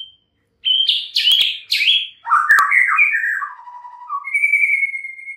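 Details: White-rumped shama song opening with sharp high chips and sliding whistles, then descending warbled phrases and a long level high whistle to finish, with two loud clicks mixed in; no other sounds.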